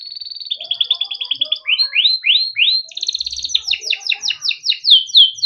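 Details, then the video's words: Timbrado canary singing a melodic training song: a fast, even trill of high notes, then rising swept whistles repeated about twice a second, then a rapid rolling series of bright descending notes. "Timbrado canary singing beautiful melodic songs for training and listening"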